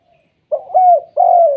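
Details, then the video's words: Spotted dove giving its 'kuk 2' coo, used to prompt other spotted doves to call: three low, mellow coos, a short note, a longer falling one, then a drawn-out level coo, with a quiet background. "BURUNG TEKUKUR KUK 2 BIKIN TEKUKUR LAINNYA BUNYI"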